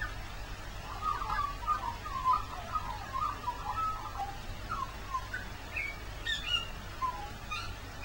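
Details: Magpie heard in the rain on Christmas Day, singing for over five minutes: a run of quick, rippling warbled notes followed by higher, scattered chirps, over a steady low rumble of background noise.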